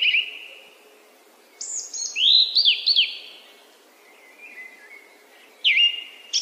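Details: Song thrush giving varied fluty phrases with swooping whistles and sharp downslurs, pausing briefly before a final high ringing phrase.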